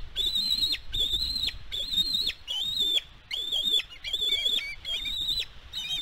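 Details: Nest-cam recording of a bald eagle on Catalina Island, California, 16 May 2022: a steady series of piercing whistled notes, each held briefly and then dropping, repeated about once every second with brief gaps.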